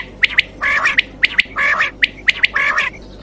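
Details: Quail voice for night hunting: rapid alternation of sharp clicks and short coarse squawks, several per second, over a steady low hum.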